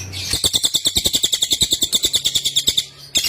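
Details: Cililin (Sunda whistling thrush) training song: one sustained burst of quick, bright, buzzy pulses, about eight a second for nearly three seconds, then a new burst begins.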